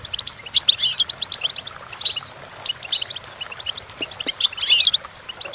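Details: Singing goldfinch, used for teaching goldfinches to sing; tinkling clusters of high twittered notes come in bursts separated by quieter gaps, with quick metallic trills and a brief, thin whistled slur.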